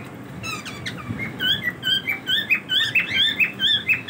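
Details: Cockatiels in their daily routine chattering rapidly: bright repeated chirps and short whistled notes, about two per second, overlapping as if several birds are calling together, over faint background noise.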